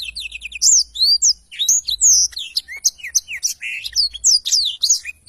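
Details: Lively black-throated canary song for tutoring songbirds: bright whistled slurs and quick chirps, some notes dipping lower, delivered in a steady, varied chatter.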